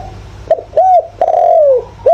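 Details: Spotted dove used as a decoy, calling in the 'thổ' voice style to stimulate and lure wild doves: loud, mellow hooked coos, each note arching then sliding down, a long falling coo in the middle, with fainter coos behind.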